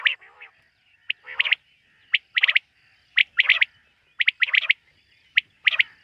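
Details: Night calling of common quail, with bright, clipped notes in quick triplets and clusters, interspersed with lower, grating buzzy notes, repeated irregularly through a quiet backdrop.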